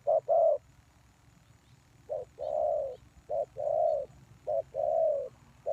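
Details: Decoy spotted dove used for luring wild doves utters a short note followed by a long, swelling coo, repeated four times at unhurried intervals over a low rumbling background.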